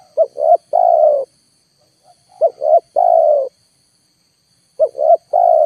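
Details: Spotted dove lure calls played full to attract wild birds that do not descend; three phrases of two brief rising coos plus a drawn-out falling coo, spaced about two and a half seconds apart, over a faint high tone.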